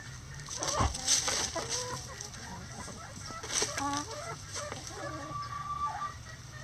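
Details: Several chickens in a coop on a sunny day give short rising clucks and chattering notes in loose bursts, one clearer drawn note near the end, over a faint background hum.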